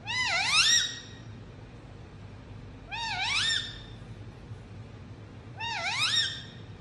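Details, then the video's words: Indian ringneck parrot, a pet, chirping: three loud harmonic calls about two and a half seconds apart, each dipping and then sweeping upward in a nasal, meow-like swoop, over a quiet low hum. "Indianringneck Chirping Sound"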